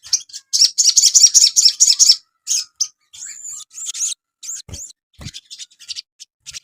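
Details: Cage-bird Asian pied starling song for training: a quick series of about a dozen high chattering notes, then scattered shorter chirps and whistles, with a couple of faint low knocks.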